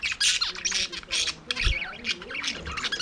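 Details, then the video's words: Several budgerigars singing and playing in their aviary warble and chatter together in a dense stream of quick, scratchy squawks and rising chirps, with a faint low thump partway through. "Budgies singing"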